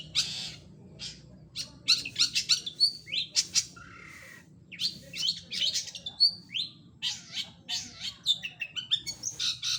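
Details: Long-tailed shrike singing vigorously, a varied medley of high squeaky chirps, short whistles and harsh notes in irregular rapid bursts separated by brief gaps, over a faint low background murmur.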